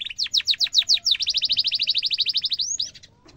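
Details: Canary singing the gacor cuit-cuit style used to train young canaries. Steep descending chirps run into a rapid, even roll of short high notes, ending in a rising whistle.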